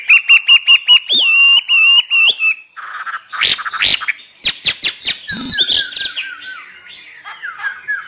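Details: Northern Vietnamese trained Hwamei in 'hót thả' free song: rapid, evenly spaced ringing whistled notes, then harsh buzzy bursts and clicks, ending with a string of descending slurred notes.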